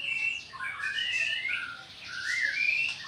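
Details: Bornean white-rumped shama from Sarawak, singing challengingly as if inviting a fight, pouring out quick, varied phrases of sweeping, rising whistles mixed with harsher chattering notes, with no other clear sounds.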